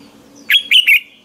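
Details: Red-whiskered bulbul giving a short hót ché training song in the morning, meant to spur other bulbuls to sing. Three clear whistled notes come in quick succession, each bright and slightly sliding.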